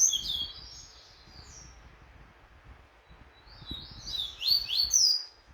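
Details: Double-collared seedeater, a caged bird in training for a song tournament, gives high whistled and slurred phrases, a short burst at the start and a livelier run of sharp rising and falling notes near the end, over low background rumble.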